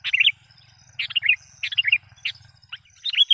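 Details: Lure call of a lively Sooty-headed bulbul, meant to rile wild bulbuls: short bubbly phrases of three to four warbled notes, repeated about every three quarters of a second, over a faint low hum.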